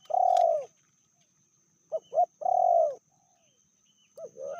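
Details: Indonesian spotted dove, medium voice, from a pair with a fiercer female. Long falling purred coos alternate with brief double notes, widely spaced, with a click at the start.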